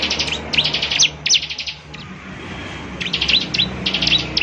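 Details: Bar-winged prinia song aimed at getting other prinias to reply: short bursts of quick, high chirps separated by gaps, over a fairly noisy low background hum.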